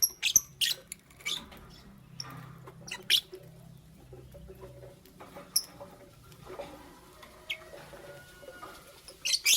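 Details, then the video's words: Lovebirds, a green Fischer's and a pastel blue, in the morning: scattered sharp high chirps and squeaks in short bursts, some doubled, with quiet gaps, faint clicks and scratching between calls. "Lovebird Chirping Sounds"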